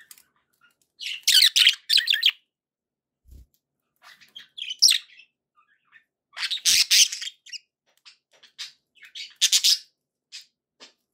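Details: Pet budgerigars kept as household birds, giving bursts of buzzy, warbling chirps and squeaky chatter in short clusters separated by quiet pauses, with a few isolated ticking notes between the louder phrases.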